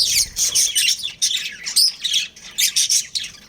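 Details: Domestic budgie breeding pair chattering: fast high tweets mixed with harsher squawky notes, delivered in clustered bursts with short breaks, loudest near the start and fading slightly toward the end.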